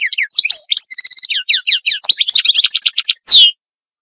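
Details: Goldfinch singing a fast, varied twittering song of high chirps, slurred notes and short buzzy trills, run together without pause and ending in one loud downslurred note; no other sounds.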